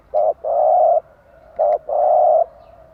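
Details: Morning song of a caged spotted dove used to stimulate other doves: two phrases, each a short coo followed by a longer steady purring coo, clear and loud.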